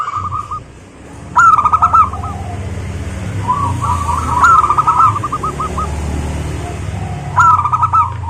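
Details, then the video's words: Local zebra dove song meant to prompt other doves to sing: three bursts of fast, stuttering cooing trills, each starting with a sharp note, spaced several seconds apart over steady low background rumble. "suara burung perkutut, GURU VOCAL JITU atasi kutut lokal gacor untuk pancingan perkutut agar bunyi"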